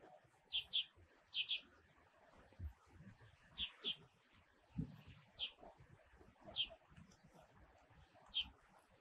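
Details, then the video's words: In Taiwan, where it passes through in winter, a Red-bellied thrush gives short high chips, mostly in quick pairs, repeated every second or so, over a steady background hiss of rustling and low noise. "赤腹鶇(Red-bellied Thrush)"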